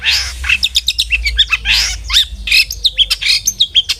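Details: Long-tailed shrike in vigorous song, used as a lure to get other shrikes singing: a dense, varied run of harsh buzzy bursts mixed with sharp high chirps and short down-slurred whistles, with almost no pauses.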